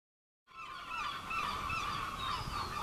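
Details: Herring gull on the roofs of Clacton-on-Sea, Essex, England, in July 2015, giving harsh, honking calls with a broad nasal tone, running almost continuously after a brief silence.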